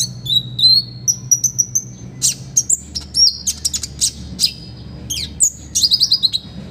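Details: Master recording of an olive-backed sunbird, meant for other birds to learn from: high-pitched whistled slurs and sharp rapid chips in quick varied bursts, some notes rising steeply, with a low background hum.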